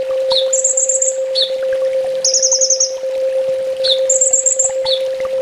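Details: Olive-backed sunbird master song for training home birds, full tembak: sharp downslurred chips, each followed by a fast, high, beaded trill, repeated several times, over a steady low hum.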